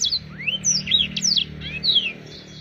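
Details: Black-throated canary singing actively: a short run of bright, high notes swooping up and down in quick succession, with a steady low hum underneath.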